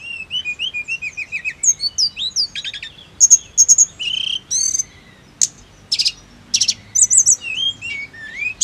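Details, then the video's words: Snowy-browed flycatcher song, therapy to prompt rolling singing: opening with a run of slurred whistles at middle pitch, then rattling bursts, sharp high notes spaced about half a second apart, and falling whistles. "TERAPI TLEDEKAN GUNUNG AGAR CEPAT GACOR NGEROLL"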